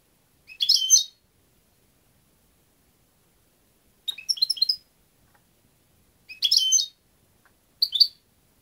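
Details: European goldfinch singing loud, fast phrases of jangling, twittering and buzzy notes. Four bursts come at irregular intervals of one to three seconds, with silence between.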